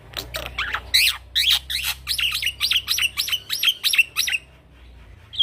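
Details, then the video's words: Young male Black-winged myna delivering a rolling song used to train other birds: a rapid series of about a dozen harsh, squeaky rising-falling notes, repeated nearly twice a second for four seconds, ending with a short quiet gap. "Jalak Pito Jantan Muda Gacor Ngeroll"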